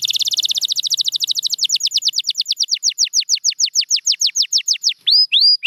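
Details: Champion canary singing a long rolling tour: a very rapid high trill that gradually slows into separate descending whistled notes, closing with a few rising slurred notes.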